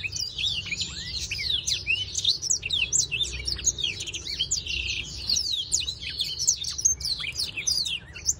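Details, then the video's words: Black-throated canary singing while breeding, a long, dense warble of rapid high chirps and swooping whistles that runs on with only brief pauses. "blacktroat canary singing_ breeding"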